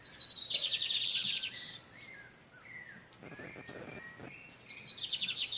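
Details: Wild lined seedeater males countersinging while a female incubates: a fast buzzy trill, scattered slurred whistles and a brief rustle, then another trill starting, all over a steady high whine.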